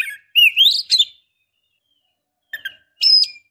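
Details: Oriental magpie-robin female in breeding condition calling to a male: a rising whistled slur and a few chirps, a silent pause, then sharp ticks and a short high whistle.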